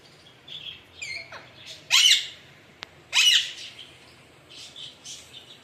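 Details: Alexandrine parakeet producing loud, raspy squawks, two strong bursts about a second apart, with softer scratchy calls before and after and a single sharp click between them.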